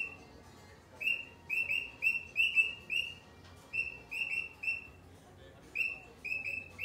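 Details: Cockatiel uttering a quiet start then a run of short, bright chirped calls, about two per second, in clusters separated by short silences.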